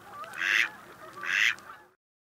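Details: Drake (male) mallard calling, quieter than the hen's quack: two short, raspy, nasal calls about a second apart, each a broad hoarse burst, with nothing else clearly heard.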